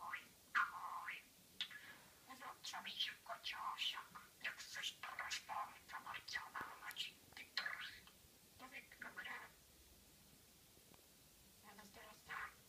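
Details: A one-year-old talking budgerigar chatters rapidly in a high, scratchy voice, reciting learned Czech phrases such as "my tummy hurts" and "it's raining outside".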